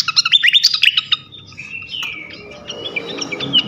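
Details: Flycatcher song used as a lure to provoke other flycatchers: a fast burst of high, sharp chirps and trills, then a drawn-out whistle that slides down and a few thin, scattered notes.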